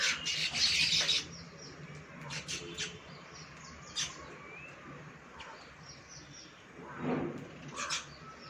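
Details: Baya weavers, monsoon visitors nesting at a balcony, chatter in a loud, harsh burst, then give thin, high chit notes several times a second, with rasping wheezes near the end.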